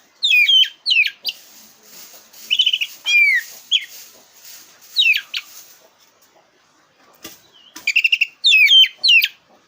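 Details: Black-breasted oriental magpie-robin singing as a lure for contest birds: dense, varied sequence of sharp whistles, downslurred notes and quick trilled stutters, briefly pausing before a fresh rush of phrases.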